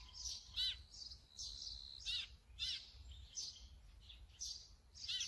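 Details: Brown-eared bulbul, captured on a Sony camera fitted with a 200-600mm lens, giving loud squeaky notes that sweep steeply downward, spaced about every second, between thinner high chirps; soft low rumble beneath.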